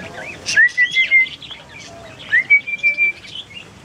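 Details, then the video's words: Talking bird at Ko Yo Restaurant, Songkhla, southern Thailand, May 2011, known for saying the Thai greeting "sawatdee khrap"; here two clear whistled phrases, each rising then holding level, with a few soft chirps between. "Sawatdee Khrap - Amazing Talking Thai Bird"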